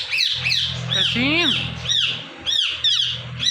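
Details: Indian ringneck parakeet, a pet bird, calling in the morning: shrill arched squawks repeated several times a second, one long descending harsh note, with a low steady hum beneath.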